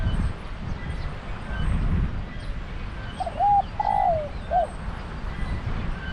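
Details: Cooing phrase of a zebra dove in Thailand, part of decoy trapping with a pen trap: three short, mellow coos in quick succession midway through, over constant low rumble and faint distant chirps.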